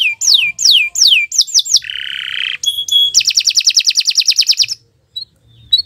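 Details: Canary in long morning song. Several loud downward-swept whistles give way to a steady buzzy note, a pair of pure tones, then a rapid, even trill before a short quiet gap.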